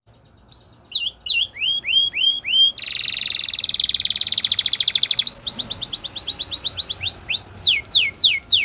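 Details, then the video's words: Spanish Timbrado canary singing a training song: clear rising whistled notes in a slow series, then a dense buzzing trill lasting about two seconds, a rapid run of repeated notes, and finally bright upward-sweeping whistles. "Spanish Timbrado Song For Training"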